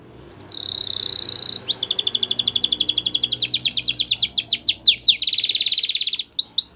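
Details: Canary singing for training: a steady buzzy trill opens into a rapid pulsing rattle, then quickening rising whistles, a dense buzzing roll and a few swept notes, over faint low background hum.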